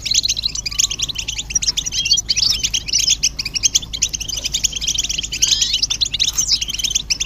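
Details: A group of European goldfinches giving mating and readiness twitters, used to stimulate singing. Continuous bright chirping and fast buzzy phrases, densely layered, with slight swells in loudness.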